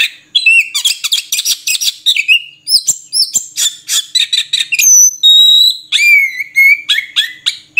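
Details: Continuous varied song of an Oriental magpie-robin (murai kampung): bursts of scratchy chatter give way to clear sustained whistles and downslurred notes, phrases following each other quickly.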